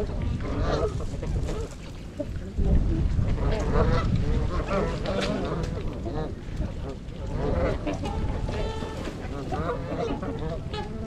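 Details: Wintering flock of 42 trumpeter swans, 26 adults and 16 juveniles, at Gallup Park in Ann Arbor, Michigan, on January 8; many overlapping nasal honking calls in a busy chorus over steady low rumble, recorded on a GoPro.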